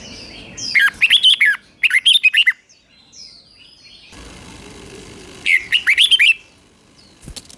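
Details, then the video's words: Red-whiskered bulbul singing in the double song style, played for young birds to copy: three bursts of quick, bright, warbled whistled notes, two close together then one after a quiet gap, with a faint click at the end. "เสียงนกกรงหัวจุกเบิ้ล2 ก๊อปติดง่ายสายปั่นลูกนกไม่ควรพลาด"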